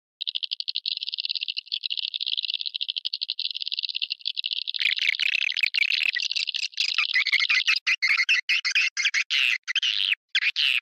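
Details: Swiftlet; lure call; attracting swiftlets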